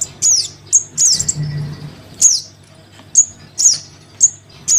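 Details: Crimson sunbird chick calling its parent, a lure sound: isolated very high, sharply downslurred squeaks roughly every half second to second, thin and piercing, over a quiet low hum.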